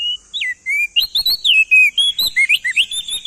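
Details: Endemic crested white-eye, a male from East Nusa Tenggara, gives a clear drawn-out whistle, then a swift string of bright, swooping notes repeated several times a second, with a faint steady hiss behind.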